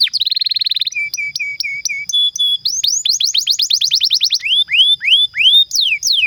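A canary sings a rapid, varied song: a fast buzzy trill, a run of short level whistles, then quick rising and falling sweeps.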